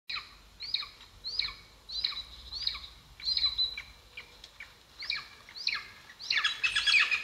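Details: Wild golden eagle at its nest in Estonia, filmed by a live nest camera in 2022; thin, high, downslurred whistled chirps repeated about every 0.7 seconds, ending in a louder, busier burst.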